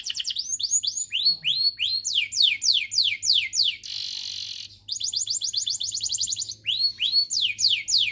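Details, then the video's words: Canary singing to stimulate other canaries: upswept whistles, then quick descending slurs, a roughly one-second hissing rasp, a rapid trill and more rising whistles, all in steady rhythmic phrases over a low hum. "Particularly stimulating the sounds of canaries"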